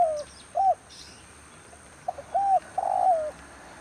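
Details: Decoy spotted dove used in bird trapping during the rainy season calls with a falling coo, a short pause, then paired coos and a longer descending croo at the end.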